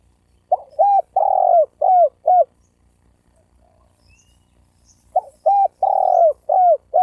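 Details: Spotted dove coo used as a lure to make males and females coo and fight. Two identical phrases about five seconds apart, each a quick pickup note, a long throaty coo, then two short falling coos, over quiet background.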